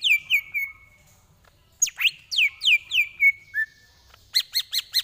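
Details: Tutor song of a greater green leafbird for training: falling whistled slurs at the start, a sweeping burst of descending notes in the middle, and a quick series of four crisp repeated chips at the close.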